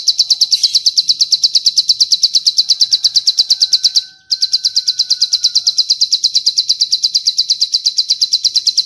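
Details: Bar-winged prinia master song with long cililin phrases for training birds to imitate: rapid high chirps at about three per second, briefly cut off midway, then resuming in the same even rhythm.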